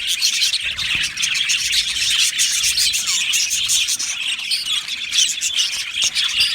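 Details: Budgerigar colony in an aviary, many birds singing and chirping at once, with dense high twittering, short rising squeaks and scattered squawks running continuously.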